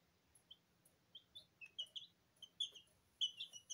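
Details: Quiet, scattered high chirps from two-week-old Sablepoot bantam chicks bathing in their feed in a kitchen, becoming denser toward the end over a steady low background hum.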